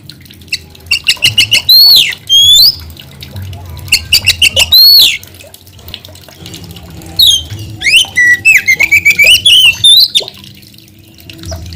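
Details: Long energetic white-rumped shama song: rapid repeated notes in pulsed bursts, loud upswept whistles and a run of rising trilled phrases, separated by quieter spells.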